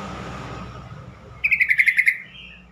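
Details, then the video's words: Yellow-vented bulbul calling sound, meant to prompt replies and help stalled birds sing: after low background rumble, a single crisp run of about eight rapid, evenly spaced high chirps lasting under a second, trailing into a soft whistle. "trucukan call"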